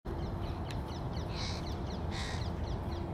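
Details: Crow feeding its young, recorded in 2022: two harsh, buzzy caws about a second apart near the middle, with faint short chirps between them over a steady low rumble.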